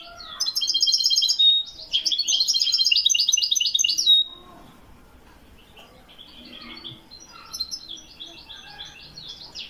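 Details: Moroccan European goldfinch singing Widani song, 2021: two long bursts of quick, tinkling, metallic twitters with a short whistle between them, followed by softer, scattered warbled notes.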